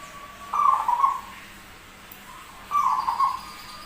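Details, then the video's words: Zebra dove said to have a rare, odd-sounding voice while singing freely, delivering two rolling, slightly buzzy coo phrases a little over two seconds apart against a quiet hissing background. "PERKUTUT SUARA ANEH TAPI GACOR"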